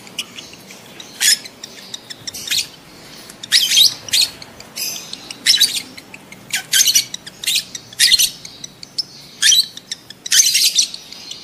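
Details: Adult lovebird mating call, played to trigger breeding: loud, piercing, rasping shrieks repeated roughly once a second in uneven bursts, some doubled. Light clicking sounds fill the gaps.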